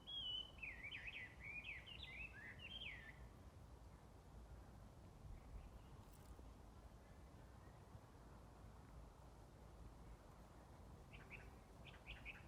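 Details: Unidentified small bird calling on 5 March 2022, in early spring around the seasonal day of insects waking, heard unseen near moss in sunlight: a burst of quick, high, twittering chirps in the first three seconds. Quieter chirps follow near the end over soft wind.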